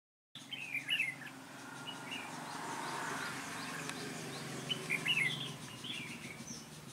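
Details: Red-whiskered bulbul at a bird trap, recorded 3 March 2018, sings in a ché style: two short, bright warbled phrases about four seconds apart, over a steady low mechanical hum and outdoor background noise.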